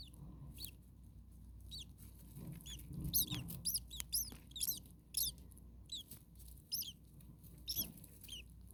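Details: Starling baby birds in a hot attic nest, parent close by: bursts of thin, high, downward-curving squeaks, scattered early then crowding together in lively runs, with low background hum.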